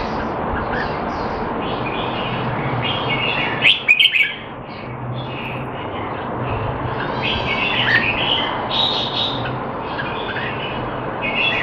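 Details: Red-whiskered bulbul kept caged in Singapore, trained to stay sharp though not in form, 25 December 2020; busy, scratchy warbling phrases repeated through the recording, a brief louder clatter near the middle, constant background hum.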